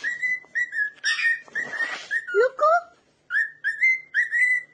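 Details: A pet cockatiel, dancing while someone sings to it, whistles a tune of clear, steady notes with short slurred phrases and brief pauses.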